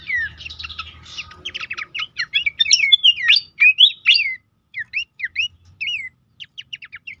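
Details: Horsfield's babbler song used as a lure and tutor for caged birds: a loud run of rapid whistled notes and swooping slurs, dense at first and then spaced into separate short phrases, on a quiet background.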